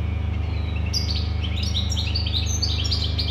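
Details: European goldfinch pouring out a fast, tinkling chatter of rising and falling high notes, nearly unbroken after the first second, over a steady low hum.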